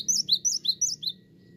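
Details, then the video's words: Energetic gacor singing from a cinereous tit (gelatik batu): six or seven rapid, sharp, high chirps with upper overtones, slurring downward, then the phrase ends, leaving a low humming background. "Awas Gelatik Batu anda Ikut Gacor"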